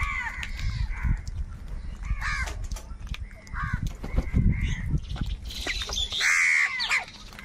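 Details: Crows fighting over food, a very loud noisy squabble of harsh cawing calls repeated rapidly and overlapping from several birds, with heavy low rumbling background noise and a shrill higher screech near the end.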